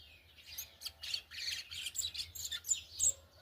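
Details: Brown-plumaged yellow-bellied seedeater in churrilhando song style: rapid run of high, buzzy chirps and short twittering notes, about three per second, rising in loudness toward the end, over a faint low hum.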